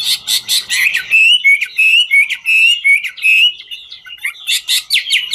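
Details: Chinese hwamei performing its 'ngũ trường' song while dancing: rapid buzzy notes open, then clear whistled rising notes repeated about every half second, ending in scratchy trills.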